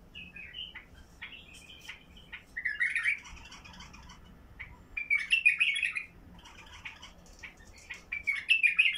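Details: A White-eared (Basra) bulbul with a heavy-throated song, used to prompt other bulbuls to sing, gives rich, bubbling whistled phrases in bursts every few seconds, each rising and tumbling quickly, with quiet hum between.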